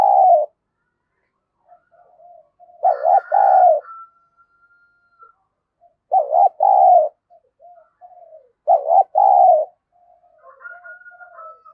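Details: A spotted dove decoy bird, caged and cooing to provoke rivals. Deep burry coos come in paired phrases, separated by quiet muttered notes, with a faint high whistled line drifting in after some phrases.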